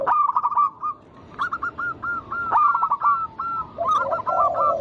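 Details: Zebra dove of local stock singing to draw other doves into song: bursts of short hooked, ringing notes in quick runs with brief pauses between them, and low cooing underneath toward the end.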